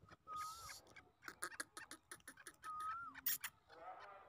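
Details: Grey francolin (teetar) in full calling mood; two clean whistled notes that rise and then dip, separated by a burst of sharp clicks and knocking noises.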